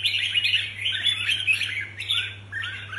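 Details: Competition red-whiskered bulbuls prepared for a contest pour out bright, rapid, tumbling chirps and warbles in near-continuous bursts over a constant low electrical hum.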